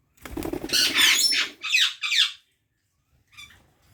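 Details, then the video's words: Parrot giving a fast run of loud, harsh, harmonic squawks in the first half, then a few fainter chirps after a short silence, with some low fluttering noise at the start. "Natural Parrot Chirping Sounds | Parrot Voice | Tote Ki Awaaz"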